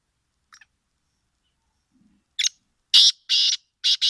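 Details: Black francolin calling in winter: a faint short high note, then four loud, harsh, grating bursts in two closely spaced pairs, ringing out against near silence.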